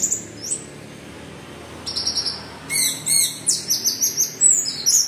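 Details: Orange-headed thrush in teler-style song meant to spur other birds into singing: a few faint high notes, then a fast run of sharp, bright, repeated chirps and trills, about three per second.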